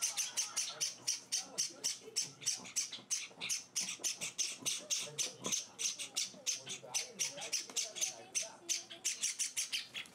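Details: Java sparrow chicks being hand-fed indoors, in their fourth day at a new home, give an almost continuous string of loud, buzzy, hissing begging bursts, about three per second, while a person talks quietly.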